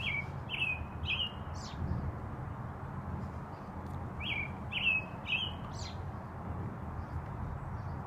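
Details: American robin song at about 5pm: a run of three or four caroling whistled phrases, a pause, then another similar run, heard over constant low rumbling noise.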